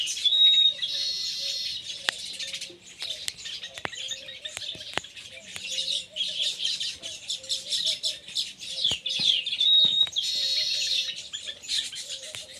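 Baya weavers chatter in a dense, high buzzy wheezing chorus with rapid chips and thin whistles, over a faint low rhythmic pulsing hum.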